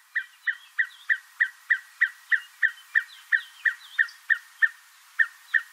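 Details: Red-fronted Tinkerbird near Port Alfred, Eastern Cape, South Africa, giving a steady run of hollow, mid-pitched 'pop' notes, about three per second, with faint higher chirps behind.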